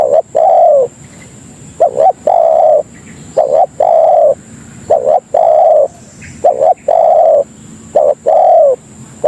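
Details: Repeated cooing of a spotted dove (tekukur) used as a lure to call in other doves; each phrase pairs brief hooted notes with a longer, even coo, cycling regularly over low background hum.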